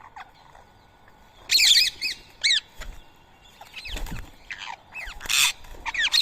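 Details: Rose-ringed parakeets feeding on soaked boiled rice in Coimbatore, India, 7 AM, 31 March 2024; loud shrill screeches in arching strokes, repeated in bursts roughly every half second to second, with occasional low thuds.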